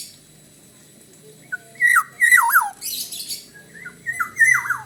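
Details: Black-naped oriole from Bali in full song: loud, fluty whistled phrases that dip and slur downward, in two groups, mixed with harsh, raspy high notes, over a low background hum.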